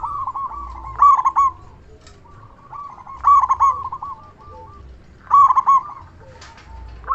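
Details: Cooing of a local zebra dove known for its loud voice, used as a lure and as a tutor for quiet birds. Three rolling, purring phrases climax in accented hoots, spaced about two seconds apart, with faint low background rumble.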